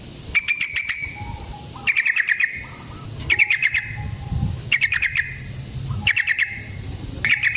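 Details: Yellow-vented bulbul (trucukan) sound used as a trapping lure: short bursts of quick rattling chattered notes, repeated roughly every one and a half seconds, with faint low background rumble.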